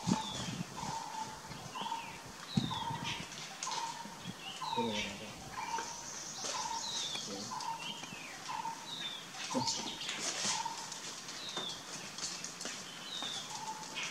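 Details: Greater racket-tailed drongo in Kanha, a bird known for mimicking other species: a rhythmic series of short mid-pitched whistled notes, each paired with a higher sliding chirp, repeats about every 0.8 seconds over steady insect hiss.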